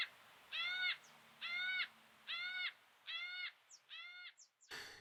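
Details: Wild Yellow-tailed Black Cockatoos in Australia feeding quietly in a pine while cut cones and branches rain down; five long, wailing, ringing calls come roughly once a second, then a sudden crash of falling debris at the end.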